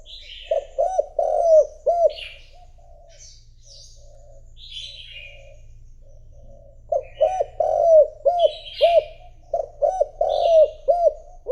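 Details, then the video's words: Spotted dove used as a lure for rivals, delivering two fast bursts of low, rolling coo notes several seconds apart, with high chirps of small birds scattered throughout. "Cu gáy mồi thúc gù gọi bổi , kích cu gáy gù gáy"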